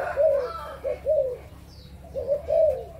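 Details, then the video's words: Adult spotted doves of Malaysian and Thai stock, recorded 22 January 2022, giving soft, low, hollow coos in short rising-falling phrases, a three-note group followed by a pause and another three-note group, over a quiet background. "cu gáy trưởng thành malaysia và thailan"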